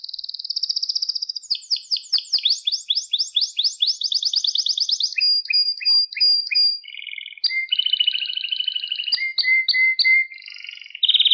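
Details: Canary song played to train young pet canaries to sing: a fast trill, then sweeping rolled phrases, clipped whistled notes and buzzy tours changing every second or two, all high-pitched and clean with no other sounds.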